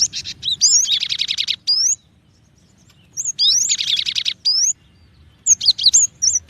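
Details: Cinereous tit mixing thin rising whistles with two long harsh buzzy churrs, ending in a cluster of sharp high notes.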